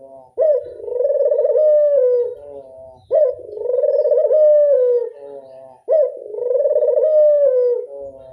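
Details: Local Barbary dove in classic 'angungan' voice, repeating three drawn-out coos roughly every three seconds. Each opens abruptly, then rolls into a vibrating, steady tone with a slight falling tail, over a clean, silent background.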